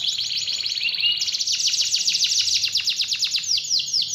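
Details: Lure song of a canary, played to coax a reluctant canary back into full song: bright high warbling that shifts into fast rhythmic trills of repeated downward-sweeping notes, loud and unbroken throughout.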